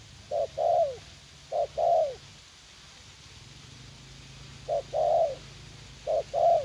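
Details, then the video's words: A fight-eager young spotted dove decoy, set out for trapping in a U Minh garden, repeats paired low coos, a clipped note then a longer down-curving note, with a pause of about two seconds midway. "Gác Cu Gáy / Bổi Tơ Háo Đá"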